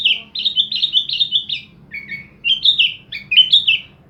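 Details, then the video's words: Sooty-headed bulbul from Jember, East Java, singing loud, clear, bright fluty phrases of quick slurred notes that dip downward, in three lively bursts, with a faint low hum underneath. "Kutilang gacor suara Mewah full isian"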